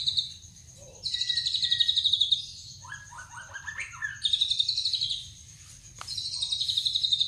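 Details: White-rumped shama song: long high buzzy trills in pulsed runs, broken by a short sequence of lower stepped whistles and a sharp click, with a steady low hum behind.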